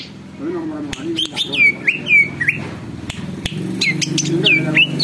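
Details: Greater green leafbird, said to rouse other birds into singing and agitation, giving repeated downslurred whistles and sharp upswept notes in quick succession over a low murmur of people talking.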